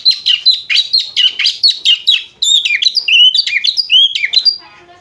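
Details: White-rumped shama giving ngriwik chatter likened to a lovebird: a rapid train of harsh, clipped chirps, shifting midway into sweeter, sliding whistled phrases that rise and fall before the song fades out.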